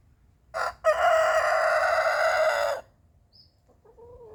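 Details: Morning rooster marking his territory with one of 17 successive crows: a short harsh opening note, a brief gap, then a loud sustained rasping cock-a-doodle-doo lasting about two seconds, followed by a faint thin chirp and a softer trailing call.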